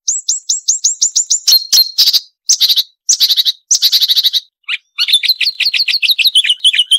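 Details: Marsh warbler song with sharp, varied phrases. It opens with a row of clear, downslurred whistles, then bursts of buzzy, high chatter broken by short silences, and ends with quick repeated notes.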